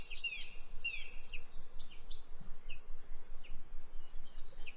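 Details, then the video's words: Birds singing in the morning: several high, quick chirps and short twittering phrases, busiest in the first two seconds then scattered, over a strong steady low rumble of background noise. "Good Morning #Birds Sound"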